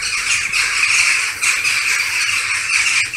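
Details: Evening roost gathering of western jackdaws in August, large flock circling before settling into dense foliage; a loud, continuous wall of harsh, overlapping squawks with no pauses.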